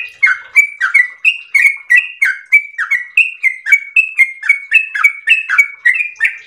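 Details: Long ropel-style song of a yellow-vented bulbul, a steady chain of bright whistled notes alternating high and lower pitches, roughly three or four notes each second, clean with no other sounds.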